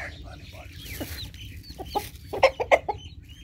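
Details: Hungry chickens rushing to their morning feeding: short, bright clucks building into louder, clustered bursts toward the end, with softer chatter and a person's voice in the background.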